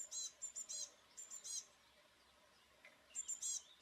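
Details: Eurasian blue tit giving high, thin notes in quick groups of two to four, pausing around a second between groups, with a fainter lower note in the gap and a quiet outdoor background.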